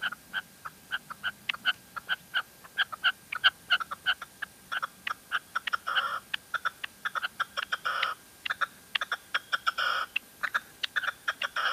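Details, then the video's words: Female red-legged partridge in La Mancha giving a rapid run of short, sharp notes, packed closely and irregularly, growing denser and harsher midway with bursts of rasping calls, over low background noise. "Reclamo de perdiz hembra"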